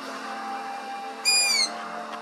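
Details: A Long-eared Owl owlet in the UK gives a single high, squeaky begging call, a thin whistle dropping slightly in pitch over less than half a second, over a steady low hum.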